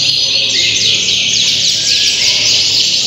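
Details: Contest canaries at Auditorium Linggarjati, Kuningan, Sunday 11 June 2023. Dense, high, chattering trills sweep up and down without pause as several birds sing together over a low hum.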